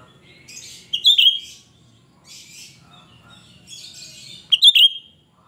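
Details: Cucak rante in spirited song for luring birds: two loud, shrill whistled phrases several seconds apart, each a quick pair of piercing notes, with softer chirping between them.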